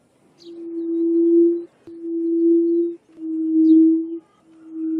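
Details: Low, even, moaning whistles from a yellow-legged buttonquail, a call described as harsh and somewhat whistle-like; four drawn-out notes of about a second each follow one another with brief pauses, with faint distant chirps.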